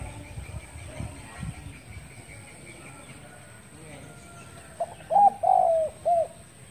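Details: After several seconds of low rumbling background noise, a spotted dove calling in the morning delivers one phrase: a quick pair of coos, a prolonged descending coo and a brief closing note.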